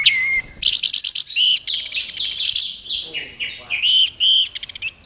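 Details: Caged Orange-headed thrush from Mojokerto in teler style, a display believed to attract a mate, sings a loud, fast medley of high whistles, clipped repeated notes and rising slurs with brief pauses between bursts.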